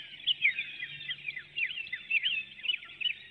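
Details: Before dawn on 12 April 2019, a female bald eagle calls while flying from her nest through a woodlot in Hanover, Pennsylvania; webcam audio of thin, rapid, downslurred chirps run together in a high, squeaky chatter.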